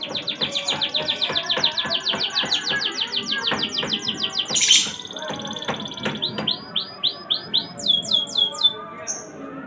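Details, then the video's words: Canary in full song: fast runs of sharp repeated notes in rolling trills, a brief harsh burst midway, then a series of looping, descending whistled notes, all over a low steady hum. "KENARI GACOR ‼️ KENARI BISU JADI IKUTAN BUNYI MENDENGARNYA"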